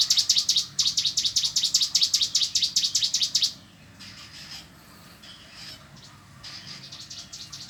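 A cigun delivers a fast, high, rattling trill of rapidly repeated notes for about three seconds, then falls quiet, leaving only faint distant chirps.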